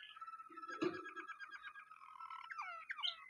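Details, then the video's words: Waterslager canary song, soft and indoors: a steady, low rolling trill with a sustained tone beneath, ending in a few rising chirps, with a dull thump partway through. "water Slager Caneri singing"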